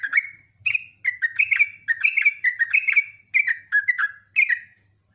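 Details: Lure song of a sooty-headed bulbul singing actively in long phrases: bright, gurgling whistled notes tumbling in quick bursts, each burst a few notes, separated by brief pauses.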